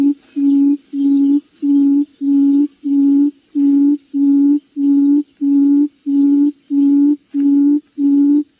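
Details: Buttonquail giving deep, hollow hooting notes, evenly spaced at about one and a half per second and unbroken throughout. It is used to stimulate or lure birds.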